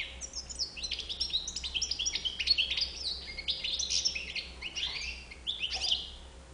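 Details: Continuous song of a European goldfinch: bright liquid chirps, fast twittering runs and a few longer slurred whistles near the end, with a thin electrical hum underneath.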